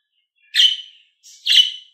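A budgerigar gives two harsh, chirpy calls about a second apart, each with a bright, slightly buzzy tone that trails off; nothing else is heard.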